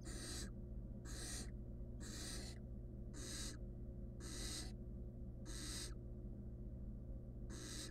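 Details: Wild barn owl nestling tackling a stolen rodent on its own inside a nest box; seven loud, snoring hisses, close to one per second, over a constant low background hum.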